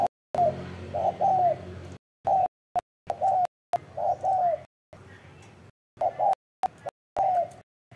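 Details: Mellow coos from a spotted dove, short notes and falling croons about once a second, heavily broken up by repeated hard silent cuts.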